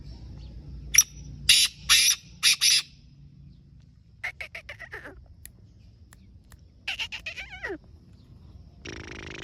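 A black francolin gives loud, harsh, grating notes in a quick stuttering phrase, then a softer, raspier series. A brief burst of noise ends it.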